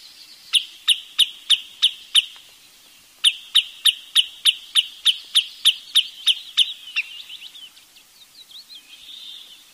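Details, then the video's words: Rapid series of high, sharp notes from a wood sandpiper, broken by a short pause and resumed, ending in a softer, twittering trail. "เสียงนกชายเลนน้ำจืด Wood Sandpiper Sound"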